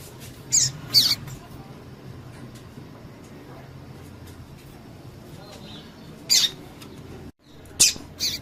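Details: Female double-collared seedeater calls used to stimulate a male to sing: pairs of brief high chips near the start, then more sharp chips late on, separated by a long quiet stretch with faint hum.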